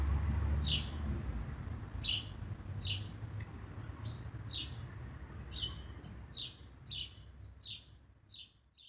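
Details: A scolding Common blackbird (possibly a sparrow) gives sharp, high chirping notes, about a dozen over nine seconds at a fairly steady pace, over a constant low rumble of traffic.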